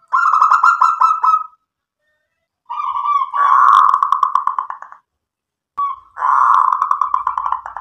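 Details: Local zebra dove in full song, cooing hard to provoke other doves into answering: three rolling, pulsed coo phrases, the middle one longest, each a rapid bubbling trill, with short silences between.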